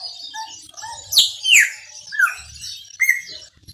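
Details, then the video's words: Chopi blackbird, maranhãozinho song style, delivering a few strong whistled notes: sharp downward slurs followed by a short flat whistle, with other birds chirping steadily behind. "PÁSSARO PRETO MARANHÃOZINHO CANTA MUITO"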